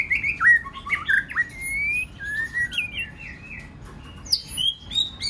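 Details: A White-rumped shama sings to stir other shamas: a flowing chain of slurred, fluty whistles, some dipping and others climbing, with occasional sharp high notes near the end.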